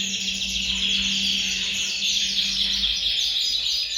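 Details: Caged canaries singing together in a bird room, a chorus meant to encourage males to sing and females to breed; dense unbroken high trilling, with a steady low electrical hum for the first three seconds.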